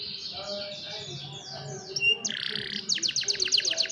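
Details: Young canaries singing to train other, lazy canaries, recorded on a cellphone: a run of fast sliding chirps gives way to a buzzy burst, then a quick, pulsing high trill with faint low background hum.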